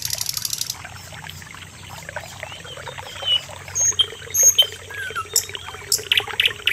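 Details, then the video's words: Common nightingale song: scattered high, pure whistles and short sharp phrases, irregularly spaced, over a steady trickling of water. "Suara Burung NIGHTINGALE / SIKATAN LONDO"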